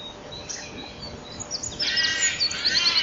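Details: Common kingfisher inside its nest at 07:26 on 7 April 2013, where the female cleans the nest and grabs a spider web while male and female take turns. After soft scraping, a rapid series of short, high, piercing notes begins.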